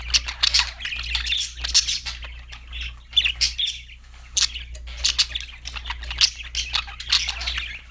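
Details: Budgerigars, described as happy singing parakeets, in a dense chattering warble of quick chirps and rasping notes in bursts with short pauses, over a steady low electrical hum.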